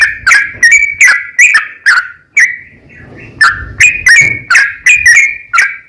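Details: Sooty-headed bulbul's long rapid song, meant to get other bulbuls answering: runs of clipped whistled notes, a brief quieter stretch with soft rustling, then the whistles resume in a quick series.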